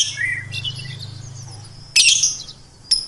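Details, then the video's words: Melodious bird giving a high, thin twitter and two sudden loud buzzy chirps over a steady low hum. "Suara Burung Merdu"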